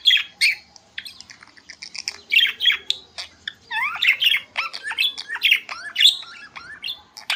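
Budgerigars chatter busily, a tumble of scratchy squawks, rising chirps and quick warbled notes with barely a pause.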